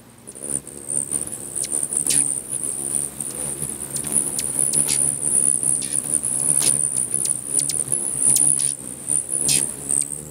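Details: A frenzy of hummingbirds at a feeder in Bigfork, Montana, fighting over territory: continuous high shrill chirping with many sharp ticks and zips, layered over a constant low whirring of wings.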